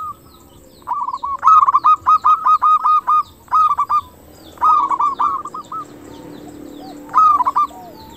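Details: Actively singing local zebra dove, used to lure other doves into answering and singing; a series of rapid trilled phrases of staccato coos, each ending in a short pause, repeated several times over a quiet background.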